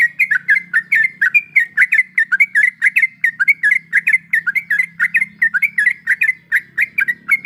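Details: A female sooty-headed bulbul in breeding condition calls the male in a steady, fast stream of bouncy, slurred chirping notes, over a soft low hum.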